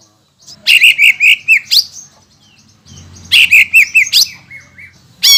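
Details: Greater green leafbird singing hard, played to stir rival green leafbirds into song: two bursts of rapid, bright whistled notes, each a quick rising-then-falling slur, separated by a short pause, with a thin sustained whistle trailing off.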